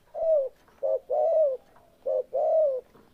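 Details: Spotted dove cooing: three phrases, each a short low coo followed by a longer, slurred, slightly falling coo, repeated about once a second with clear pauses between.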